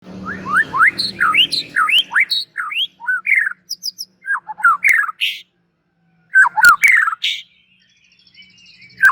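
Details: White-rumped shama, called an outstanding bird ready for song contests, pouring out quick runs of loud, varied whistles and slurred rising notes. A short silent pause follows, then sharp clipped phrases return.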